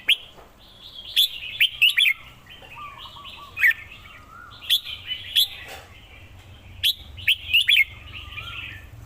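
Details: Red-whiskered bulbul song of short, bright, clear chirps mixed with sharp clicks, arriving in clusters every couple of seconds. Faint lower rippling notes and a low steady hum sit beneath.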